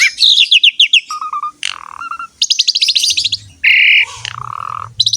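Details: Asian pied starling in full gacor song, a training recording for young or reluctant birds: rapid chattering trills, steady mid-pitched whistled notes, a harsh grating burst and a falling whistle, varied and nonstop.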